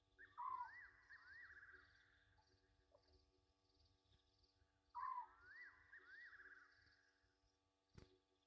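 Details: Egyptian geese calling at night, 23:34 on 27 August 2023, at the Gowrie dam waterhole, Djuma Game Reserve, Sabi Sand, South Africa. Two harsh honking bursts about four seconds apart, each trailing into wavering nasal notes, over a steady insect chorus.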